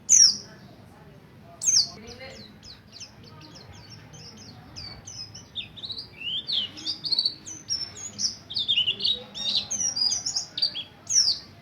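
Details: A Buxtoni mountain white-eye learns ngalas ngerol song as a lure for other white-eyes: a couple of isolated piercing chirps, then a dense, accelerating tumble of high twittering notes through the second half.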